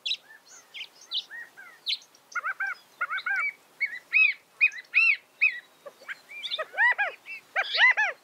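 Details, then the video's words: California quail giving repeated rounded, arching call notes, often in groups of two or three, mixed with busy high chirps and twitters from other birds. "California Quail Bird Sound, Bird Song, Bird Call, Bird Calling, Chirps"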